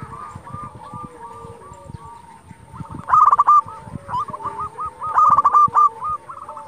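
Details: Zebra dove, local bird, singing hard to provoke answering rivals: soft repeated coos at first, then two loud clipped rolling phrases, other doves faintly cooing behind.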